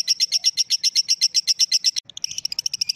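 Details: Lovebird ngekek call, rapid evenly spaced shrill chips for two seconds, a brief break, then a slightly weaker, quicker burst of similar high notes with faint low noise underneath.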